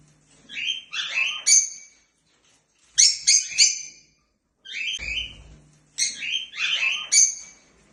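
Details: African lovebirds flying freely and sounding happy: four clusters of fast shrill twittering squeaks, each about a second long, separated by brief silences.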